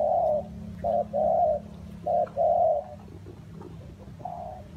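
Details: In wet, windy weather a spotted dove gives mellow, low coos in a short phrase, two brief notes then two longer ones, followed by a quieter coo, with a constant low background hum.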